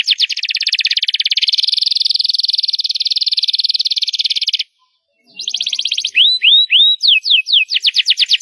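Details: Loud canary song opening with a long, even, fast rattling trill lasting over four seconds, a pause, then a buzzy roll, rising curled chirps and clipped downslurred notes.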